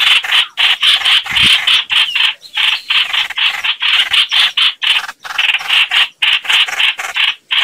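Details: Chao chảo bird calling, a sound used to lure birds into traps; fast, scratchy chatter of short bursts, around four a second, each carrying a thin squeaky edge.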